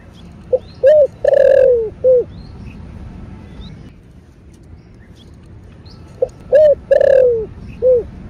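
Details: Spotted dove repeating its 'thổ bầu' style calling coo twice. Each phrase has a short note, a hoot, a long falling coo and a closing hoot, with a quiet gap between phrases.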